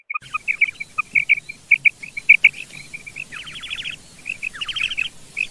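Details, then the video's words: Female common quail singing in an open field: quick runs of bright, short high notes, twice broken by harsher buzzy bursts, with a faint rural background. "Female Quail sound | Madi Batair ki Awaz |Quail Singing in field"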